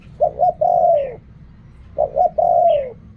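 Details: Spotted dove, style called riak kham and khu kham, cooing twice: each phrase has two short clipped notes, then a long, low, slightly falling coo. A brief higher chirp follows each phrase. Faint low hum underneath.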